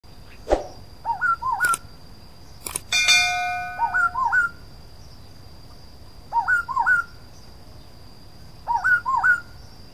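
Black-throated laughingthrush giving clear, fluty phrases of three or four looping whistles every two to three seconds; one metallic clang and a steady high whine underneath.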